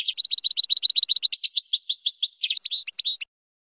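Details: Training song of a European goldfinch for young birds, a fast liquid twittering of closely packed high notes that speeds into a rattling jumble before two drawn-out buzzy notes end it.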